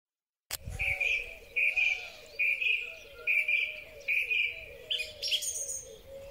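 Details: A song thrush sings in spring, bright, clear phrases with each short note repeated in quick succession, over a softer, lower background of other birdsong.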